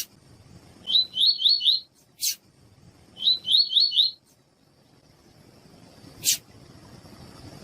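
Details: A double-collared seedeater (coleiro) sings a "tui-tui" song used to train and warm up captive birds: two quick bursts of four high, sweet slurred notes, about two seconds apart, with a couple of sharp clicks between.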